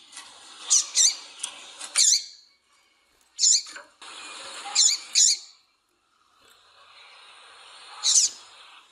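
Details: Female double-collared seedeater calling, a call used to excite males into singing for song tournaments: short, sharp, high chirps in quick clusters, broken by pauses, over a steady soft hiss.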